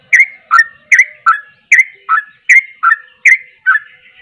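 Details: Sooty-headed bulbul singing vigorously: paired, fluty notes, a higher slurred whistle followed by a lower one, repeated steadily about every half-second with clean silence between.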